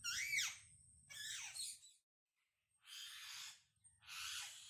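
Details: Wild parrots calling to communicate: four harsh, broad squawks about a second apart, each rough and falling at the end, with a low rumble underneath the first two.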